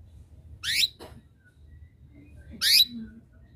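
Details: Two crisp, quickly rising canary chirps roughly two seconds apart, calls intended to get a competing bird singing; a faint tap follows the first.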